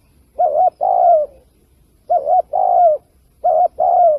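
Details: Spotted dove lure call for trapping. The bird repeats the same phrase three times, about every 1.5 seconds. Each phrase is a clipped doubled coo, then a longer mellow coo that slides downward at the end.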